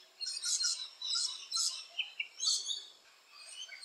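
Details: Rainbow lorikeet in Australia, active around nesting holes, giving short squeaky chirps and harsh bursts in loose clusters, with quiet gaps between.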